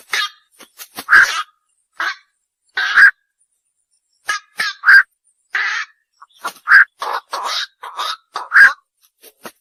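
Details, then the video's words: Bakchu, the night heron, producing a run of rough, nasal croaks and grating kwok sounds, some doubled, repeated about every two seconds with rapid bursts near the end; no other sounds stand out. "বাকচু পাখির ডাক / অক পাখির ডাক / বাকচো পাখির সেরা ডাক / Bukcu pakir duk/ Night Hiron Bird call"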